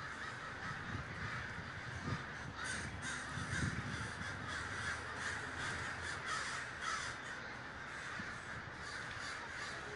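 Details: Crows in a big communal gathering at Davis, California, keep up a relentless chorus of overlapping harsh caws, swelling a little at times, with low rumble below.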